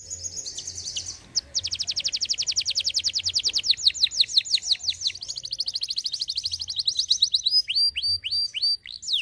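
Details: Singing canary, meant to prompt other birds to sing: a brief high trill, a pause, then a long rapid rattle of downswept notes that shifts pace midway and ends in slower, looping whistled sweeps.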